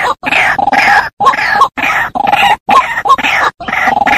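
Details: White-breasted waterhen call used as a bird-trapping lure: loud, harsh, grunting croaks in rapid bursts of about half a second, separated by brief silences, with a rough, nasal quality and no other sounds.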